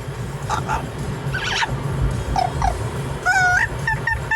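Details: An Amazon parrot riding in a car on a Sunday gives a string of harsh squawks, then clear whistled notes in a rising, vibrato-like sing-song line, over a steady low rumble of road noise.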